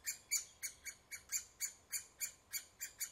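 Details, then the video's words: Woodpecker calling at the nest, giving a steady series of sharp, high, rasping notes about four per second, twelve in quick succession over a faint background hum. "Okillaren kabian"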